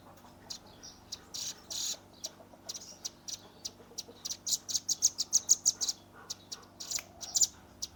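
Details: Recorded on a Redmi 10 phone, a young velvet-fronted nuthatch in 'tembakan' shooting style gives irregular high thin chips that quicken into a short run of bright, rapid notes over a steady low background hum.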